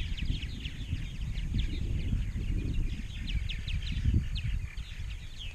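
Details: Many purple martins chatter at a colony in Rainsville, Alabama, which had 920-930 pairs in 2016. Busy overlapping chirps stream steadily above heavy low rumble from wind.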